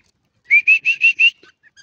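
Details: Grey francolin giving a quick burst of five loud, shrill whistled notes, each slightly rising and evenly spaced in under a second, followed by a few faint short notes against a quiet background.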